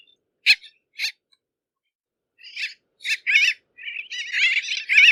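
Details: Bridled tern giving short harsh raspy notes, two isolated calls then a denser run of grating, slightly wavering calls building in loudness, with silent gaps between bursts.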